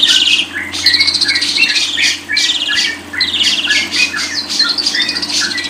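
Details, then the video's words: Lovebird jamming song: bursts of harsh buzzy chatter mixed with short squeaky chirps, broken by brief pauses every second or two, low hum underneath. "100% jamin paling ampuh // paling di cari para kicau mania"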